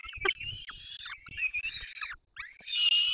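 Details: Peregrine falcon chicks fed by both parents at a nest in the Barycz Valley, Poland, 3 May 2024: continuous thin, wavering squealing with brief breaks and light knocking underneath.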